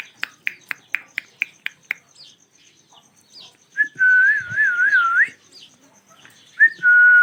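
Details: Ringneck parakeet pair making natural sounds: a quick series of sharp ticking clicks, then a pause and a loud, pure, wavering whistle that rises and falls, followed by a shorter whistle.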